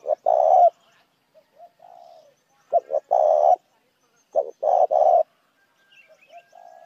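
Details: Spotted dove calling as a lure for other doves: three loud phrases, each a pair of short clipped notes and then a long, low, purring coo, with softer warbling coos in the pauses between.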